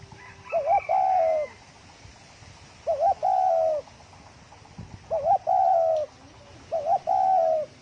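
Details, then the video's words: Quick-paced 'thổ còi' cooing from a spotted dove to provoke other doves: four phrases, each a short quavering two-part note and a long even coo, repeated about every two seconds over a quiet background. "Tiếng chim cu gáy thổ còi tốc độ gáy cực nhanh cực chất kích bổi lên nhanh"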